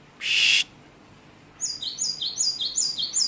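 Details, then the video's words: Great tit with a varied song: after a loud broadband hiss, a fast series of high, thin chirps descending in pitch, evenly repeated about five times per second, bright and clear against a quiet background. "gelatik batu pastol variasi banyak isian"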